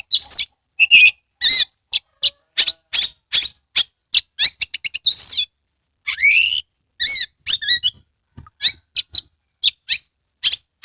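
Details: Caged Oriental magpie-robin used as a lure song to spur other birds to sing and fan the tail, giving a varied song of sharp whistled notes and chirps, with rapid trill bursts and a rising, sweeping phrase near the middle.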